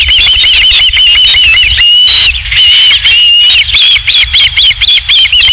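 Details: Osprey at its nest at Dunrovin Ranch on 27 July 2016, around 19:55, during a third fish delivery: loud, rapid, whistled chirps repeated several times a second, steady and insistent, with faint background noise.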